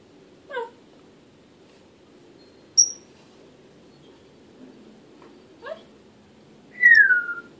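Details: Pet African grey parrot calling indoors: a few short separate sounds spaced over several seconds, a brief sharp high note, then a longer clear whistle sliding downward at the end, in a quiet room.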